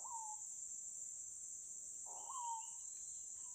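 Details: Screaming Piha, or capitão-do-mato, singing in the Amazon forest at Lago Amanã. A clear, slightly falling whistle is followed by a quick upward sweep into a sustained whistle, with a higher short note after it, over a constant shrill insect chorus.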